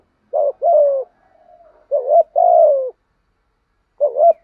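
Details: Spotted dove kept as a decoy, giving 'gù thúc' coos to provoke wild doves: three loud two-part coo phrases, the first two linked by a soft, quiet murmur, the last cut short.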